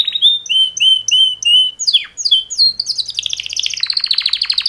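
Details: Mating song from two male canaries: a string of repeated clear downslurred whistles, a steep falling sweep, then a rapid bubbling trill that broadens and speeds up.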